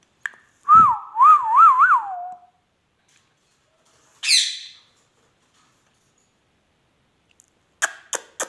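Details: Talking ringneck parrot from Pakistan: a clear tonal whistle wavers up and down three times and then slides lower, followed after a pause by one short harsh squawk and a few sharp clicks near the end.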